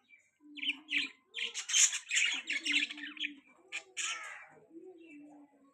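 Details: Budgies chattering: a rapid run of squawky, buzzy chirps mixed with lower warbled notes, fading into quieter murmuring warbles near the end.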